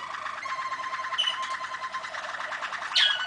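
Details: Song of a Malinois waterslager canary, 2013: a steady, fast, rippling trill held throughout, with a short higher sweep near the start and a sharp bright accent close to the end.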